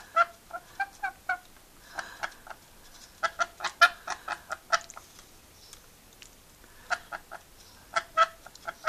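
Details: Pet rainbow lorikeet chatting and laughing, quick clicky, squeaky notes in rapid clusters separated by short pauses, in a quiet room.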